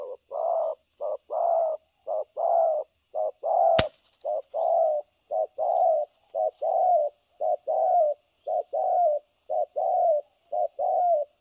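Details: Spotted dove decoy for trapping in Vietnam cooing continuously, a rapid run of short and longer low hollow notes repeated roughly once a second, with one sharp click partway through.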